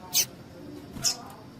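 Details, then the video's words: Two quick, thin, high chip notes about a second apart from a female double-collared seedeater, the call used to excite males. "PIADO DE FÊMEA DE PAPA CAPIM PARA DEIXAR SEU PAPA-CAPIM DOIDO"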